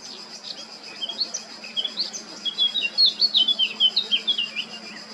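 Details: Male Eurasian blackcap singing at Baška on the island of Krk, Croatia, on 20 July 2022: a hurried warble of sweet, clear notes that grows louder and more fluty toward the end of the phrase.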